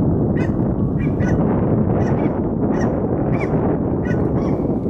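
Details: Ross's goose at Bayfront Park, Hamilton, Ontario, on 13 October 2020, giving short, high, squeaky chirps, about two a second, over a steady low rumble of wind or traffic.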